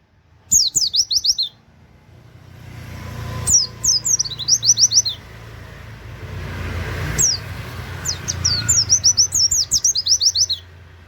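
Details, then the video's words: Oriental white-eye singing canary-style 'wit wit' notes in 'nembak' mode, used as a training master. Three bursts of rapid, very high, downward-sliding notes are separated by pauses, over a steady low rumble. "pleci nembak wit wit kenari cocok buat masteran"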